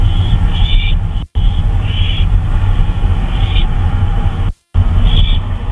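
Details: Short raspy owl calls during a 2:39 AM flyabout on 26 May 2013, several brief hissing bursts scattered through, with two abrupt dropouts in the sound and a steady low rumble throughout.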